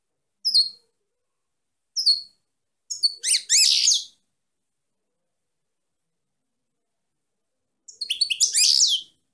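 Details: Song of a female European goldfinch: a few short high slurred chips, then two rich bursts of rapid, jangling twitter separated by a long pause.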